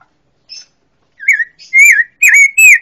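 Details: An Orange-headed thrush (Geokichla citrina) sings a quick run of rich, slurred whistles, rising and falling in about five short phrases after a thin high opening note.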